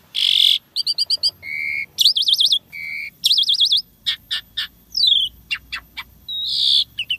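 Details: Asian pied starling in full, busy song packed with mixed fill-in phrases: long buzzy notes, rapid clipped chip series, wavering warbled whistles and sharp downslurred whistles, following one another with barely a pause.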